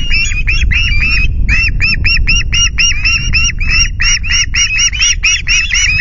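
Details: Male ospreys at a Loch Garten nest at 09:00 on 9 August screech indignantly to drive intruder osprey BlueKL5 away, a fast, insistent stream of sharp, high, slurred whistles, about four a second, over low wind rumble.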